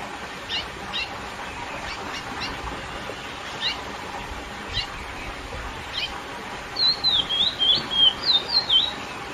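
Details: Lesser seed finch (curió) in classic song meant to excite females: scattered faint chips at first, then a closing run of about eight loud, clear whistled notes swooping down and up.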